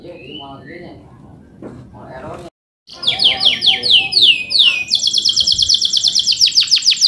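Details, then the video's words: Male canary song of the rolling 'cuit cuit' type, used to teach young canaries to sing. Low human speech comes first, then a brief gap, then a run of downslurred whistles and a high buzzy trill. "PANCINGAN KENARI GACOR NGEROL CUIT CUIT EMOSI UNTUK MASTERAN KENARI PAUD AGAR CEPAT BUNYI DAN GACOR"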